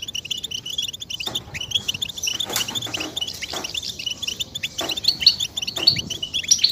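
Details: European goldfinch twitter with mating and readiness calls, meant to draw males out of silence into song. Quick high chirps run throughout, broken by several dull knocks and clicks.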